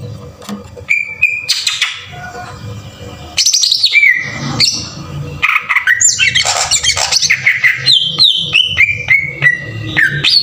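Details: Green leafbird singing a coarse 'tembakan kasar' lure for rousing other birds: scattered whistles and a fast burst of noisy chatter, then a run of clear notes stepping down in pitch, over low background hum.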